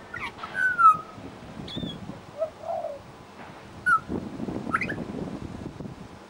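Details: Pied Butcherbird, Australia, singing mimicry in suburban Brisbane: pure descending whistles and short upward flicks separated by gaps, with a soft low note and general neighbourhood noise.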